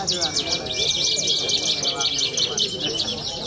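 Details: Young Horsfield's bush lark at a songbird contest in Cilacap city, singing a fast, continuous high chatter of buzzy trills and twittered notes, with a steady thin whistle-like tone and murmuring human voices in the background.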